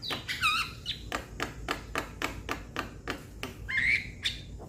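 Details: Young Javan myna calling its companions: a steady series of dry ticking clicks, about four per second, broken by wavering squeaky whistles at the start and near the end.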